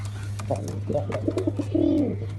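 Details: Black pigeon cooing: several short, low, hooting notes followed by a longer rolling, wavering coo at the end, all over a steady low mechanical hum.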